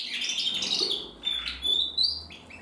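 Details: Singing male canary of the red mosaic agate colour, a bred cock bird, giving a short burst of high warbling trills, a pure rising whistle and sharp chirps, with a faint low hum behind.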